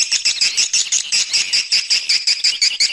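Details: Swiftlet lure recording: swiftlets chatter in a dense, rapid stream of high, buzzy twittering chirps, about three every second, with no other sounds.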